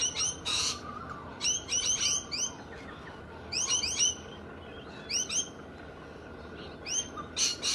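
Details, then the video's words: Australian galahs, described as bold and loud, giving bursts of harsh, screechy calls in clusters of several notes with pauses between, repeated through the recording over a steady low background hum. "Australian galahs, merupakan burung endemik australia, perilakunya berani dan keras"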